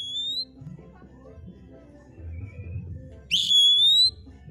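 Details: Oriental magpie-robin in full song, the tail of one whistle, a quiet pause with low rumbling noise, then a long clear rising whistle held for nearly a second.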